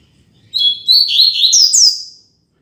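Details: Double-collared seedeater, a caged male kept as a tutor bird, singing firm and loud in the fibra style: a fast, sweet, whistled warbling phrase with rising and falling slurred notes, ending on a bright upward sweep, in near silence.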